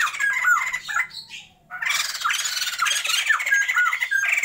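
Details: Harsh, loud chattering cackles from a captive breeding pair of Sumatran white-crested laughingthrushes, with downward whistled slurs over a raspy, nearly continuous squawking, broken by one short pause.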